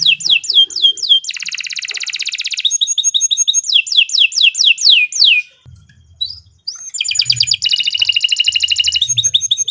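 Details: Canary delivering extended 'gacor panjang' song meant as a tutor recording. Quick falling whistles lead into thick buzzy trills, then more slurred notes. A brief silent gap precedes a second burst of rapid rattling trills.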